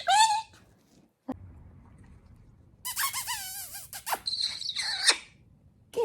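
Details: Pet male galah, snuggly and talkative with its owner, gives a loud falling harmonic squawk, then after a pause a run of wavering, warbling chatter and sharp upward-swept squeaks, ending with a short call.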